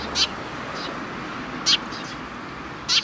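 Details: Sparrows gathered at food at a Tenmangu shrine on 10 October 2017: three short, sharp, high chirps spaced roughly one and a half seconds apart over a steady broadband hiss.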